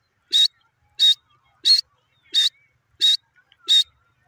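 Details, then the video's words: Pet francolin (teetar) uttering six loud, sharp, high notes evenly spaced about two-thirds of a second apart in a steady rhythm against a quiet background. "my teetar ki beautiful awaz"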